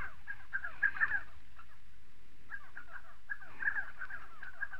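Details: Spotted sandgrouse from southern Morocco calling in two dense bouts of gurgling, down-slurred mid-pitched notes, separated by a quieter stretch of about two seconds.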